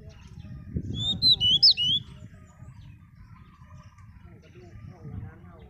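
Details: Pied bushchat singing: one short, sweet phrase of about five quick, high whistled notes lasting about a second, with some notes rising and some falling, heard over a low background rumble and followed by near-quiet.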